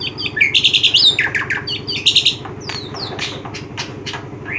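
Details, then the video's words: Black-winged myna (jalak putih) uttering a rapid run of chattering squawks and chirps, loud bursts early then sparser notes, a constant low mechanical hum throughout. "burung jalak"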